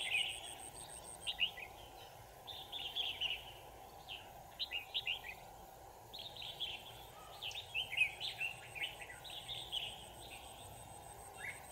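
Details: Red-whiskered bulbul recorded while being trapped, 25 November 2018, delivering lively, repeated warbling phrases of rising and falling whistles over nearly twelve seconds, a faint high ticking and low hum in the background.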